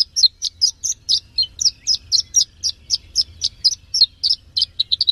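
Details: Horsfield's bush lark, a third-placed contest bird, repeating crisp, high, slurred chirps at an even pace of about three per second. A low background hum is faintly present.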